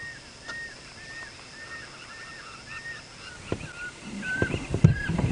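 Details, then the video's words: Pearl-spotted owlet calling during a game drive, heard before being found: a run of short, high whistled notes repeated about every half second. Vehicle and handling thumps follow near the end. "There's an owl, I can hear it. It's a pearl-spotted owlet."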